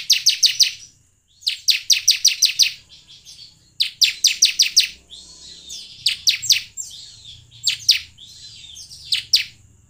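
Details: Bar-winged prinia song of the semi style, played as a lure to make caged birds sing: loud bursts of rapid, very high buzzy ticking notes in rattling runs of four to eight, with short pauses and a faint low hum.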